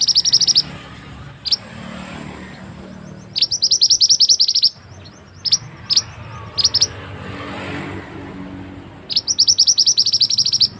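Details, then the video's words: Mantenan bird singing for use as a master recording to teach other birds; rapid high chirp trains alternate with scattered single sharp notes, over a faint low background murmur. "burung mantenan yang handal untuk masteran"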